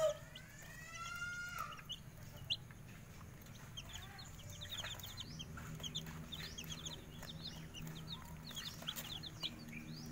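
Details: Bangkok chickens, with chicks set out in the morning sun: a drawn-out adult call at the start, then many thin, high chick peeps.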